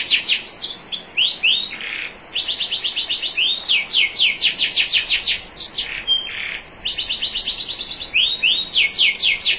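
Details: Canary, a national champion, singing on a recording made to train other canaries, with faint water trickle: alternating tours of rapid downslurred notes, rolling looped whistles, and brief buzzy bursts, continuous and energetic.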